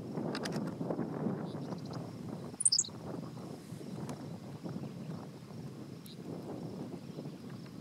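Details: Henslow's sparrow singing from the ground, out of view, at State Game Lands 100, Pennsylvania, on 1 June 2015: one short, high, hiccuping two-part phrase over constant low rumbling noise and a faint steady high insect whine.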